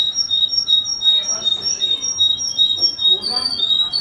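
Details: Russian canary in Kuwait delivering a steady, fast stream of bright, high-pitched whistled notes and trilled phrases, with a low background rumble throughout.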